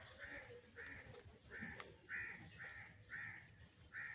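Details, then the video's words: Crow calling for cheese while being fed different foods: a steady run of seven short, harsh, mid-pitched caws, each about a third of a second long, spaced roughly half a second apart, with faint clicks and background rustle. "Crow Feeding Different Food, Different Crow Sounds and Calling for Cheese"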